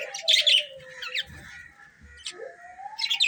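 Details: Colourful budgerigars chirping: short bright chirps in bursts at the start and end, with a thin low whistled tone running beneath and a few soft low thumps.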